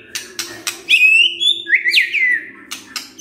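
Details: White-rumped shama lure song: a high drawn-out whistle followed by quick sliding whistled notes, between sharp clicks.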